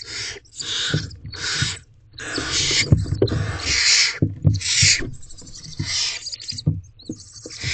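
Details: Wild barn owls in a nest box at dusk as the male hands a rodent to the female and owlets; long rasping hissed screeches, one after another, over knocking and shuffling noises.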